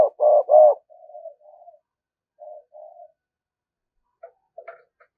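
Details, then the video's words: Caged lure spotted dove cooing in the thúc gù style to attract wild doves: two loud low hollow coos open the clip, followed by several softer, shorter coos spaced irregularly, with a faint higher note near the end. "cu gáy mồi cây thúc gù bài bản"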